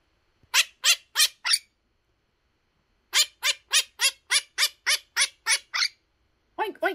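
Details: Pet Quaker parrot imitating a pig's ONK ONK and a dog's RUFF RUFF: a run of four harsh honks, a pause, then about ten rapid nasal honks, ending with a lower, rougher burst.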